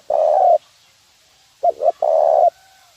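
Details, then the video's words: Lure call of a spotted dove, 'nguku' type, used for bird training: a lone sustained mellow coo, a pause, then two clipped notes running into another long low coo. "suara pikat terkukur nguku untuk ajar bb"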